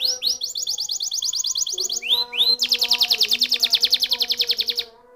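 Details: A canary sings a rapid, even trill, breaks into two rising swoops, then launches into a dense, buzzy rolling trill that runs almost to the end before stopping.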